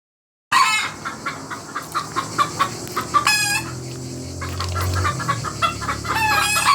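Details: A rooster family calling together: a steady run of short, sharp clucks broken by two loud, strained crows, one near the middle and one near the end.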